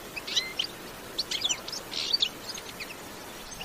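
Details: European goldfinch in bitbita-style song, natural sound: scattered short phrases of high chirps and tinkling notes separated by brief gaps, with a quiet background hiss.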